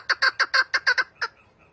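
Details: Chukar partridge uttering a short burst of eight loud, harsh chucking notes in quick succession, the last one set apart after a brief gap; clean and close.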